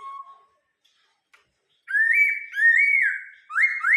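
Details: Laughingthrush kept as a cage bird in Vietnam gives one low whistle, a pause, then loud looping rising-and-falling whistled phrases running into each other.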